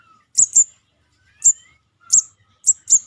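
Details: Lure recording of a young crimson sunbird: piercing high chips, single or paired, spaced about half a second apart. Faint thin whistles from another bird slide between them.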